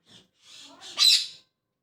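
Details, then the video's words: Parrot at morning: faint raspy murmurs rise into one loud, harsh squawk lasting about half a second. "Parrot Chirping At Morning | Parrot Sound"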